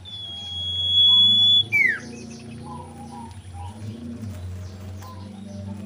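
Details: Common iora, a female in breeding mood used as a lure, sings one long, level high whistle ending in a quick downward slur, then soft low notes over a steady hum.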